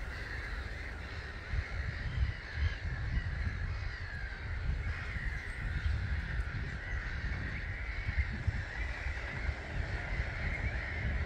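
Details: About 250,000 starlings leaving their roost at 05:45 on 21 March 2022, Gibraltar Point NNR: a dense, unbroken wall of chattering calls over a heavy low rumble of wind and wingbeats.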